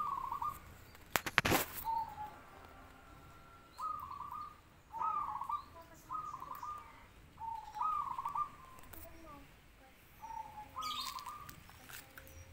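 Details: Zebra dove giving short, repeated cooing bursts about once a second, each separated by brief pauses, over a noisy background with a sharp clattering sound near the start.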